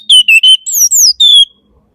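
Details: Orange-headed thrush giving three steady, level whistled notes in a row, then a pair of swooping whistles that slide downward and a long falling final whistle. Faint low hum beneath.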